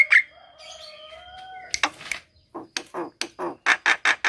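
A Javan myna opens with clear, level whistles and a sharp chirp, then breaks into a run of harsh, scratchy notes, about three or four a second.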